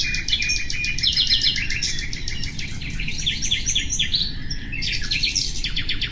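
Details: Common nightingale song with fast rhythmic trills and chattering bursts, a short pause near the middle, then a loud renewed trill; steady low-pitched background noise.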